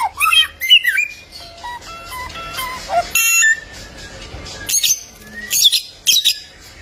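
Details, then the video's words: Golden samyong, the bare-throated whistler of Kelimutu Lake, Flores, East Nusa Tenggara, Indonesia, a bird of many voices: varied whistled phrases, sliding notes and harsh bursts, broken by short pauses. "AMAZING SOUND OF THE GOLDEN SAMYONG BIRD"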